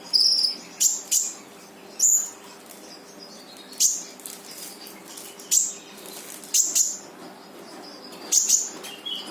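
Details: Brown-throated sunbird in full tembakan song, played to trigger a silent sunbird: sparse, sharp, very high chirps spaced one to two seconds apart, with quiet gaps between.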